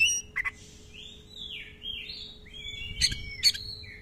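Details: Oriental magpie-robin singing slow, drawn-out whistled phrases that swoop up and down, set off by sharp clicking chips at the start and end, over a faint steady hum.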